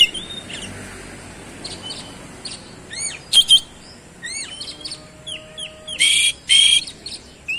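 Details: Kacer, the oriental magpie-robin, singing in 'roll speed' style and showing off its mimicry fills: soft thin whistles, a series of upward-flicking chirps, then two loud harsh buzzy bursts near the end.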